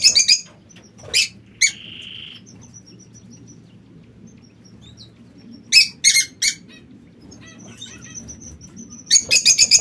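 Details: Sparse bursts of piercing high chirps from captive king quail in an aviary, with a short buzzy mid-pitched note and scattered faint whistles between long quiet gaps, under a low steady hum.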